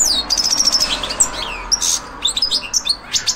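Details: Goldfinch getting into breeding form ahead of the breeding season, delivering quick liquid twitters: a thin sustained high whistle, short falling slurs and tinkling chirps packed close together, with a faint steady background hum.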